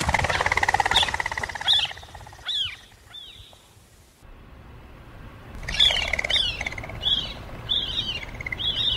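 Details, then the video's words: Common quail giving short, sharp, arched call notes, first a brief burst, then a pause, then a string of clipped repeated notes against faint rural background noise. "Перепел. Перепёлка. Голоса птиц"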